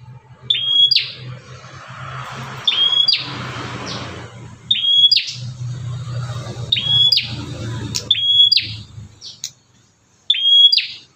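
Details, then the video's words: An agitated, aggressive bar-winged prinia outside a cage, a recording meant to rouse other prinias: sharp, high whistled notes, each ending in a brief buzzy burst, repeated in short bouts over a low background hum. "BURUNG PRENJAK GALAK INI SUARANYA BISA BUAT MEMACING BURUNG PRENJAK LAIN"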